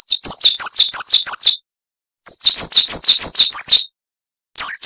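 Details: Coal tit, a bird of Europe, parts of Africa and Russia, singing a long wucit-wucit song used for training cage birds. Bright, sharp, two-part whistled phrases repeat quickly in runs of about five, separated by silent gaps. The recording is loud and distorted.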